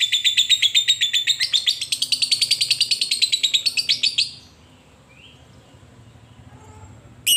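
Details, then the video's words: Lovebird ngekek, a lure to provoke a rival: about four seconds of rapid, regularly pulsed high chatter that climbs slightly, then stops abruptly into quiet, with one sharp note at the very end. "Pancingan Lovebird Paling Di Cari Memanggil Lawan"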